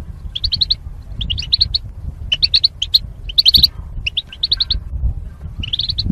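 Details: Goldfinch kept in a cage as part of a mating pair, singing training: tinkling chirps strung in quick groups of three or four, bright and high, with gaps between phrases and low background hum.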